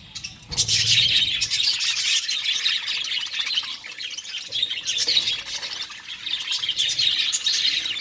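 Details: Budgerigar breeding colony with colourful chicks in one nest: after a brief quiet start, loud steady twittering and squawky chatter from many birds.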